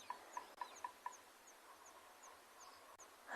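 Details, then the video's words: Woodpecker at sunset on an African safari on 24 March 2022, giving five quick, sharp mid-pitched notes in about a second over high ticking insects and frogs as the dusk chorus starts. "you can hear a woodpecker"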